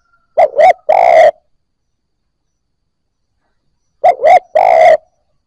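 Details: Newly caught Spotted Dove cooing, meant to stimulate other new birds. Two identical phrases, each two quick low coos and a drawn-out rolling croo, about three seconds apart.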